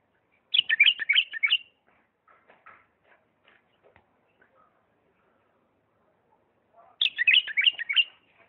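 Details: A Diyala bulbul delivering 'lisanat'-style song: two quick bursts of tumbling warbled notes separated by several seconds of faint scattered clicks and soft chips.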